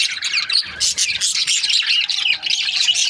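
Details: Breeding-pair budgerigars chattering in a group: rapid overlapping high chirps and warbles, bright and scratchy, with a short burst of louder squawks near the middle.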